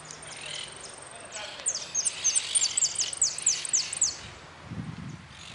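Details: A goldfinch competing in the yellow category of a song contest (interclub cup closing, 4 March 2018) sings a fast, high, tinkling twitter of sharp chirps, several per second, over steady hiss and a brief low rumble at the end.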